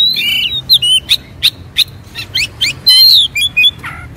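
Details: Raging Oriental magpie-robin with spread tail, fighting mood: short clipped whistles and harsh chirps delivered in rapid separate notes, a strong buzzy burst near the middle, ending in a falling squeaky phrase.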